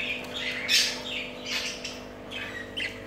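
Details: Pet budgerigars giving short harsh squawks and scratchy chirps in bursts, with a steady low electrical hum underneath.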